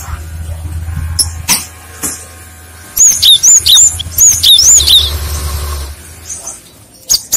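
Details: Cinereous tit singing to lure other birds, which answer. After a quiet start, a run of bright, high whistles bends up and then down in rapid succession, with a faint low hum in the background.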